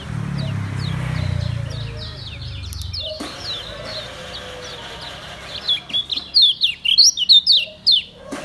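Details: Lombok white-eye (kecial kuning), kept in a cage, singing ngejos selow: after a quiet start with low rumble, a burst of loud, quick, high chirps and downslurred notes builds toward the end.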